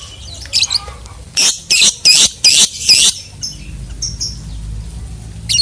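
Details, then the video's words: Lovebird uttering five loud, harsh squawking bursts about a third of a second apart, with softer scattered chirps before and after. "SUARA BURUNG LOVEBIRD || MEMANCING BURUNG PENDIAM JADI EMOSI IKUT BUNYI GACOR NGEKEK PANJANG"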